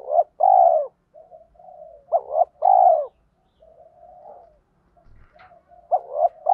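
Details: Spotted dove decoy in 'thổ pha' voice with rapid 'thúc gù' cooing that provokes wild doves into answering. Repeated mellow coo phrases, paired short hoots ending in a long falling note, separated by quiet purring, with a faint click near the end.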